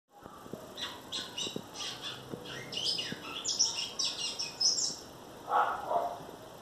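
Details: Captive brown great-billed seed finch from a Brazilian breeder, in Vila da Penha, Rio de Janeiro, singing a churrilhado twittering song: rapid high chirps and trills in quick bursts, with a couple of lower notes near the end.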